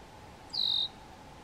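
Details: Red-winged blackbirds defending their nest from a white-tailed deer standing right in front of it, recorded on June 29, 2019; one high, thin whistled note, slightly falling, about a third of a second long, over a steady low hum.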